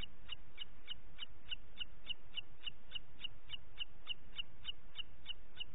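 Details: A booted eagle in Parc Natural dels Ports, 27 June 2021 at 09:06, gives a long series of shrill, high, clipped notes, about three or four each second, over a steady low rumble of wind.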